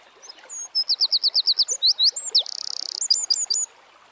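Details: Eurasian wren singing in the wild: an explosive phrase of rapid, shrill repeated notes leading into a buzzing trill and several emphatic closing chips, with a soft natural background.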